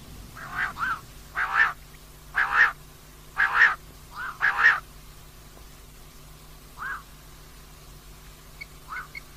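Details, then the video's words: A female common quail calling in a run of about six rasping, double-pulsed notes roughly one per second, then trailing off into fainter, sparser notes. "common Quail Calling, Female Batair Ki Awaz"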